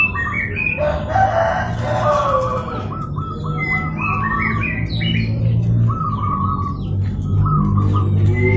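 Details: Local zebra dove calling to provoke a rival into answering: runs of quick, evenly stuttered mid-pitched notes in two bursts, mixed with higher chirps from other birds over a steady low hum.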